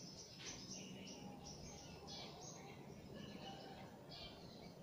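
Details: Birds calling back and forth from behind leaves; short, high chirps and brief downslurred notes in quick, uneven bursts over a steady low rumble of background noise.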